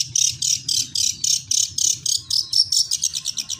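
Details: Long-tailed shrike singing in fighting mode, a song style locally called suara gereja: rapid harsh, scratchy high notes repeated about four times a second, quickening into shorter clipped bursts toward the end, with low background hum.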